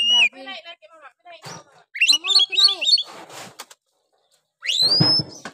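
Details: Harsh oriental magpie-robin song meant to provoke other males: low buzzy notes, a fast run of looping chirps, rasping bursts, then a loud rising whistle.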